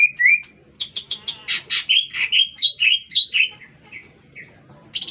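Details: Lesser green leafbird, a lively singing bird heard in the middle of a city: a rapid run of varied notes, sharp harsh bursts then clear whistled slurred phrases around mid-high pitch, ending with a buzzy high note.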